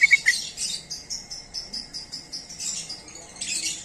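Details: Call of a sooty-headed bulbul used to lure others: three quick sharp notes, then a steady string of high, buzzy chirps about four per second, ending in a louder rasping burst.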